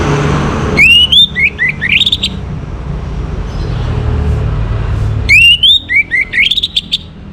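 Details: Morning song of an orange-headed thrush, used to bring kept birds into breeding condition: two phrases of clear rising whistles, each climbing in short steps, separated by about three seconds of low background rumble.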